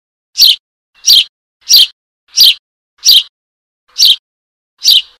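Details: Young Eurasian tree sparrow begging for its mother, giving seven sharp, high-pitched chirps at a steady pace of roughly one every 0.7 seconds, each brief and scratchy, with a quiet, clean background.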